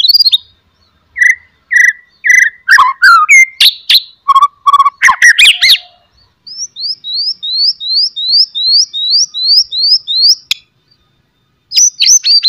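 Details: White-rumped shama, loud and varied, singing to draw other shamas into song: mixed whistles and harsh chatter, then a steady row of about a dozen bright upslurred whistles, ending in quick sharp notes.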